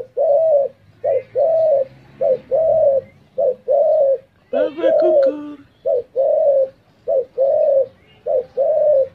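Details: Spotted dove cooing steadily: soft, low, mellow coos repeated in a regular rhythm roughly once a second, with one rougher, wavering phrase midway.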